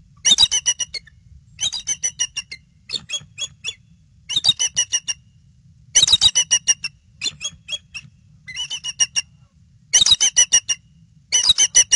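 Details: Bald eagles returning to the nest and calling out, eggs then covered, nest camera, 22 February 2016 evening; loud, clear series of high piping chatter, bursts of six to ten quick notes separated by brief gaps.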